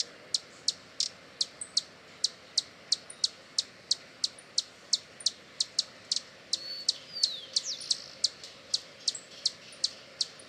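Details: Hummingbird giving sharp, high chips repeated about three times per second, each a brief bright tick with a slightly uneven rhythm, with a few thin squeaky notes mixed in around the middle, over a quiet, steady background hiss.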